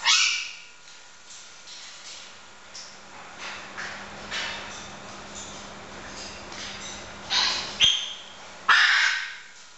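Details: Two blue-throated macaws (Ara glaucogularis) that have just met and are bonding give harsh, raspy squawks, one at the start and a loud cluster near the end, with quieter scratchy sounds and a low steady hum between.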